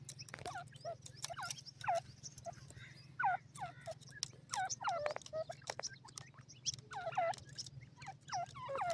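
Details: Several francolin chicks (Sindhi tetar) from Pakistan give repeated sliding, downward peeps in irregular bursts, accompanied by sharp clicking noises and a continuous low mechanical hum.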